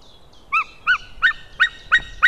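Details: Male white-tailed eagle calling, recorded 15 May 2016 in the early afternoon: after faint soft notes, a series of sharp yelping notes, evenly spaced about three per second and growing slightly louder.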